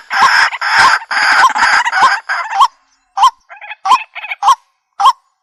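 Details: Waterhen calling, used for bird trapping: a run of harsh croaks, then after a pause, spaced hooked nasal notes with soft chatter between them.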